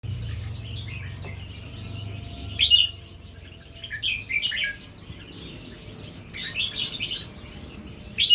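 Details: Red-whiskered bulbul of natural-style song line, beginning to deliver doubled phrases; short warbled, chirpy bursts come at irregular intervals over a steady low hum, the loudest phrase near the end.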